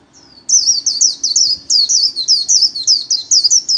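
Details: Kept white-eye performing 'líu' song solo for daily training: a quick run of loud, high, twittering slurred notes, about four per second, after a brief faint lead-in whistle.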